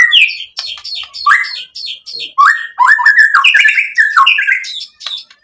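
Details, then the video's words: White-rumped shama singing, played to provoke a response: clusters of scratchy high chips alternating with loud swooping whistles, delivered in bursts with brief gaps between phrases. "SUARA MURAI BATU Untuk Memancing BUNYI jadi NYAUT GACOR"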